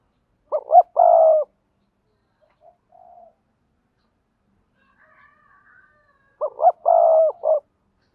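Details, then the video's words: Decoy spotted dove from Đồng Nai, Vietnam, calling in double voice to bring wild doves near. Each of two phrases has quick paired hoots and a sustained warm coo. A brief faint coo and distant soft sounds fill the long gap. "Tiếng chim cu gáy mồi kích bổi gáy gọi giọng đôi"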